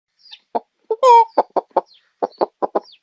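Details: Chicken clucking in a clean recording: short low clucks repeated in quick bursts around one drawn-out harmonic squawk near one second, with faint higher chirps between.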